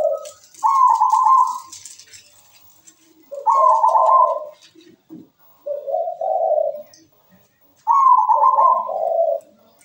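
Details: Actively singing local zebra dove, recorded as a master song for other birds: two-part phrases, a higher rolling coo followed by lower, throaty purring notes, with brief rustling and hiss at the start.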